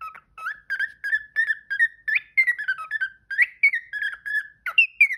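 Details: Pet parrot indoors, singing and talking: a steady run of short whistled notes around the same mid pitch, some sliding upward, given about three per second with brief gaps, clear and close with no other sounds.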